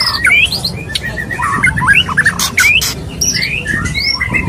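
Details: Courting male white-rumped shama singing to a female: quick, varied rising whistles and short warbled notes broken by loud sharp clicks, lively and uninterrupted.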